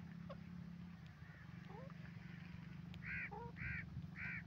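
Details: Grey francolin calling: a few thin rising notes build into loud, harsh, ringing notes repeated about every half second, over a steady low mechanical hum.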